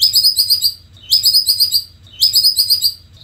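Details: Indonesian white-rumped shama in full, busy song, giving three quick bursts of bright, high chirped notes about a second apart. Each burst is a rapid run of four or five sharp, ringing notes.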